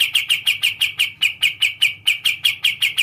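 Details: Kapas Tembak bulbul delivering an unbroken run of crisp, high, clipped chirps, evenly spaced several per second, each note short and bright, with no other sounds noticeable.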